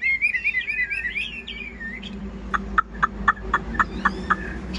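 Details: A newly acquired caged yellow-billed Chinese hwamei sings on a rainy first-of-the-month morning. A rapid whistled warble comes first, then a run of evenly spaced short clipped notes, about four each second.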